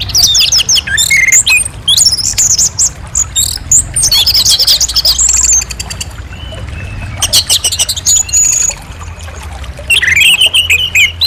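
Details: Orange-headed thrush in full, clear song: busy phrases of rapid chirps, slurred whistles and brief trills, pausing now and then before a falling whistled phrase near the end; a low hum underneath.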